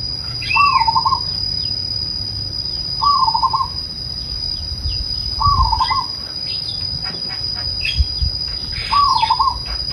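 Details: Zebra dove giving soft, gentle trilled coos, each a short wavering warble repeated roughly every two and a half seconds, over a steady high electronic whine, faint small-bird chirps and low background rumble.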